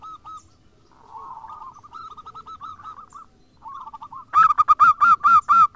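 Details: Lure recording of local and crossbred zebra doves to trigger others' song: soft, trilling coo phrases at first, then a loud, evenly spaced sequence of ringing hooked notes closing the clip.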